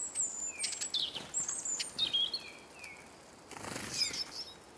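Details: Eurasian siskins (Carduelis spinus) crowd a feeding table in Kolmården, Sweden, recorded by a Sony A99 placed on the ground below. Sharp, high chirps and brief downslurred whistles tumble over one another, with soft wing flutters.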